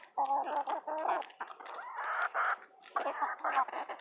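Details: Eight hens bickering over a mealworm treat, a chorus of overlapping nasal clucks and squawky bursts, quick and busy, with short pauses between flurries.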